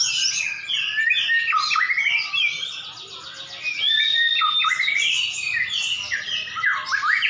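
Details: A pair of champion white-rumped shamas duel in song: high, clear whistles mixed with rapid trills and steep descending slides, delivered in quick succession, with a brief quieter stretch midway.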